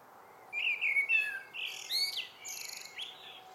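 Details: Common blackbird evening song: a rich warbling phrase of fluty whistles, several short rising notes, and a high, thin twittering flourish at the end.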